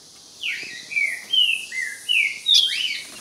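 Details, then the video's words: Ultramarine grosbeak facing a rival: loud, clear song of about six slurred whistled notes, each sliding and falling, given in an even sequence over a quiet background. "Azulão dando show na cara do outro"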